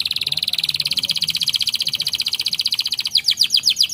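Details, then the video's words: Canary singing a long, rapid rolling trill of evenly repeated high notes, about thirteen per second and held for three seconds, then switching to a slower trill of bright upward-sweeping notes. "PUTAR SAJA JIKA INGIN KENARI ANDA GACOR!!"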